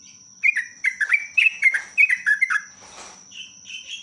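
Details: Sooty-headed bulbul pouring out a rapid 'ropelan' lure song, a fast string of about nine bubbly, downslurred whistled notes, followed by a brief rustle and softer higher notes, over a steady thin high hum.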